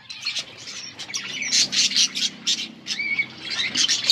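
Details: Several colourful budgies chirping together: a rapid stream of bright, scratchy chirps about four per second, mixed with a short rising whistle near the end and a faint low hum underneath.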